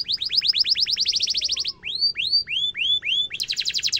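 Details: Canary song used to tutor young and adult canaries: a fast run of rising chirps, a row of slower arched whistles, then a sudden high rapid trill.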